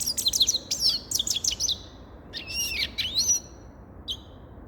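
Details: High, lively twittering from a grey-crowned goldfinch: rapid chirps first, then a pair of slurred rising-and-falling whistled phrases, and a single short note at the end.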